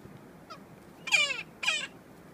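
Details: Magellanic woodpecker in Queulat National Park, Chile, February 2014: two loud, harsh, nasal squawks sweeping downward, about half a second apart, preceded by a faint softer note, over quiet forest background.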